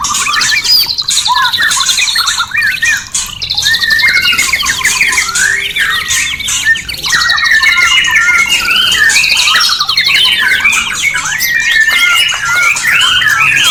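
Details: Caged white-rumped shama song meant to bring birds into breeding condition, a long, unbroken outpouring of fast trills, rising and falling whistles and chattering phrases, dense and steady in volume.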